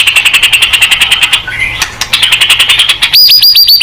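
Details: White-rumped shama in a song meant to spur other birds into answering: a fast, even series of sharp chipping notes, a brief quiet whistle, then a loud rapid trill of high chips.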